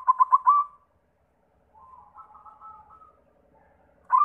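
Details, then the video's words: White zebra dove lure song to get other doves singing: a loud run of four pulsed coos, a pause, softer wavering coos, then another loud note. "Sura Perkutut pitih PAMCINGAN SEMUA JENIS PERKUTUT"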